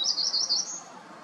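A black-throated gray warbler gives a fast run of thin, buzzy, very high notes, ending on a slightly higher buzz. Nothing else is heard.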